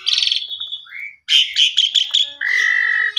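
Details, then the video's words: Asian pied starling singing as a lure and master song for training canaries: buzzy harmonic notes near 4k, a short rising whistle, then a burst of clipped chattering notes and a long steady whistle. "Pancingan Jalak Suren Cocok Buat Masteran Burung Kenari Bongkar Isian Gacor"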